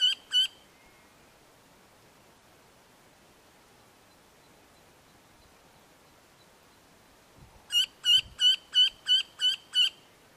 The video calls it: Red-throated Wryneck call